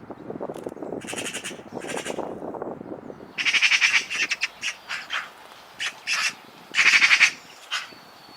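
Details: Eurasian magpie chattering with rasping, harsh notes. Two short bursts come first over a murmuring background, then a series of loud grating chacks and rattles in uneven clusters.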